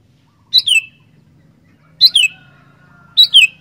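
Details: Sooty-headed bulbul singing loud, fast phrases: three sharp whistled double notes sliding downward, about one and a half seconds apart, over a faint steady hum.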